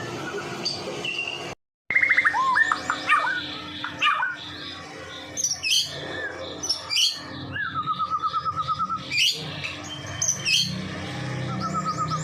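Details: Varied song of a Medan white-rumped shama, used to draw in other shamas: mixed whistles, rapid trills, harsh squawky notes and high sweeping phrases, broken by a short gap of silence.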